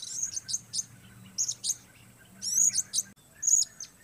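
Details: Blue-crowned hanging parrot, one bird performing alone in the weather, uttering shrill high-pitched chirps and brief squeaky trills in irregular bursts about once a second, with a soft low droning hum in the background.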